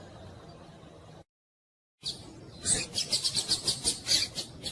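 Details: A female rusty-collared seedeater calls insistently, played to stimulate a male into singing; high, thin chips, about four per second in a steady run, after a brief quiet start.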